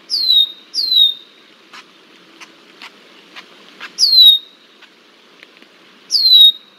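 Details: Red-winged blackbird harassing a bald eagle in Decorah, Iowa, on 20 July 2023: shrill descending whistles, a pair close together, then single notes a couple of seconds apart, with faint ticking between.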